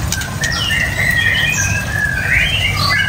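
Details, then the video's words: White-rumped shama giving smooth drawn-out whistles that glide up and down, overlapping softly, over a constant low hum. "Menikmati Kicauan Murai Batu"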